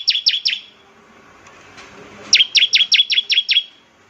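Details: Ngebren trill of a bar-winged prinia, sung to stir other prinias into song: three quick high chips, a quiet gap, then a run of about seven sharp descending notes.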